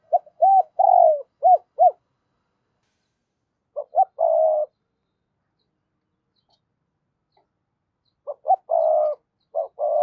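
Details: Spotted dove cooing in 'giọng thổ' voice to prompt a decoy into quick cooing: repeated low phrases of short coos and longer, fuller coos, separated by pauses of a couple of seconds.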